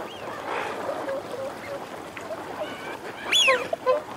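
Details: Calling wigeon, males and females together: low murmuring flock notes and faint growls, then one loud arched whistle that climbs steeply and drops away, followed by a couple of short lower calls.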